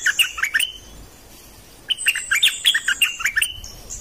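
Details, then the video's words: Dok taeng bird song used to train young birds and to excite caged birds: two bursts of rapid, high chirping notes with short whistled slurs, separated by a pause of about a second. "เสียงนกดอกแตงEp.2 ใช้หัดลูกนก เปิดให้นกคึก!!"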